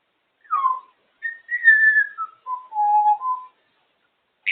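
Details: African grey parrot enjoying being out of the cage and talking away; a series of clear whistled notes stepping downward in pitch, held tones and short slides, ending with a brief higher note.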